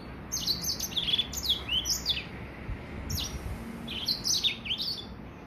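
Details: Three-month-old hybrid of Gray Finch and Lemon-breasted finch giving its first complete song, recorded in 2020: bursts of bright chirps and downslurred whistles, a brief pause midway, then more twittering phrases.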